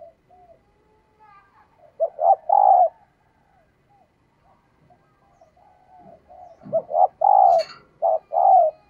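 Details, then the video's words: Spotted dove female giving her call to arouse males: soft murmuring, then a rhythmic phrase of clipped coos ending in a full, sustained coo, repeated after a quiet gap with a faint click. "Tiếng Chim Cu Mái Kích Trống"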